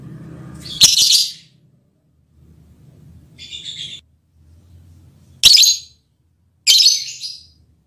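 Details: Lovebird mating call, said to act on the male partner: loud rasping high squawks, one early, a softer one midway and two near the end, with low murmuring noise in the quiet gaps.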